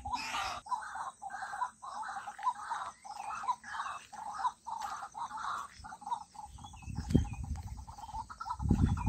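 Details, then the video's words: A White-breasted waterhen (Amaurornis phoenicurus) gives a fast run of harsh, croaking notes, about two each second, that speed into a quicker stutter, with low rumbling wind noise near the end. "call of white breasted waterhen"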